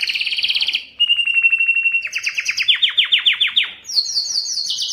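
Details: Male Belgian canary singing to arouse females for mating. A quick rolling trill gives way to a flat whistled note, then a series of sharp descending chip notes and high, buzzy, repeated phrases.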